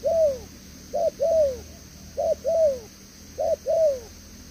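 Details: Caged decoy spotted dove cooing in the "thổ tở đèo lò xo" style, praised for a very good voice: pairs of a short clipped note and a longer arched, falling coo, repeated about every second, with a steady high hiss behind.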